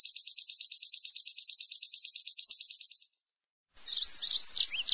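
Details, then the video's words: Lovebird ngekek trill, meant to prompt other lovebirds to join in: a fast, even rattle of high notes runs for about three seconds, fades out, then after a pause gives way to short squeaky chattering notes. "PANCINGAN LOVE BIRD NGEKEK DURASI NAPAS PANJANG"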